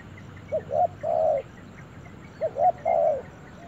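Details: Spotted dove in a forest repeating a three-part phrase twice: two quick short coos rising into a longer, fuller croon, the pattern coming again after about two seconds.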